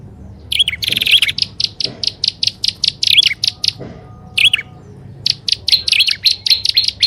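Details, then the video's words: Prinia lure recording combining prenjak alang-alang and upper and lower prenjak: a buzzy burst followed by long runs of evenly spaced sharp chips, about four to six a second, with one more harsh buzz midway. "SUARA PIKAT BURUNG PRENJAK ALANG ALANG+PRENJAK ATAS DAN BAWAH"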